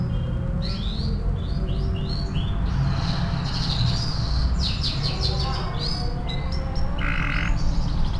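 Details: Canary singing vigorously as a master song for training other birds: a run of quick rising and falling whistled notes, then buzzy rapid trills and a short repeated rolling phrase, over low steady background hum.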